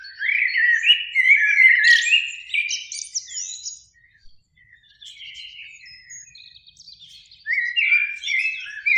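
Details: Evening spring song of Eurasian blackbirds, two singing in a beech tree near a lake; loud warbled fluting phrases with squeaky ends, a quieter twittering pause midway, then another rich phrase.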